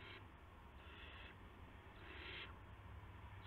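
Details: Owls at a nest shortly after midnight on March 19, 2016, as parents deliver a gopher and mice to owlets. Three harsh, hissy bursts, each about half a second long, rise over a steady low hum.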